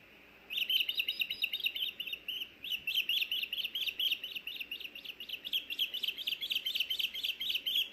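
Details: Ospreys at a nest in Hellgate Canyon, Missoula, Montana, on the evening of June 16, 2024, as the male takes back a fish he delivered: a long series of sharp, high chirping calls repeated several times a second.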